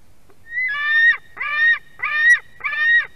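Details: Chick of white-tailed eagle screaming for fish brought by a parent, Durbe nest stream, Latvia, 31 August 2020, 4:50 pm: a thin whistle leading into four harsh, rising-and-falling screams, about one every half second.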